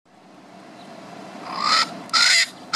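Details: Swainson's spurfowl, one of a pair, calling while its partner takes a dust bath; two loud, harsh rasping notes with banded overtones, the second slightly longer, following a quiet start with faint background hiss.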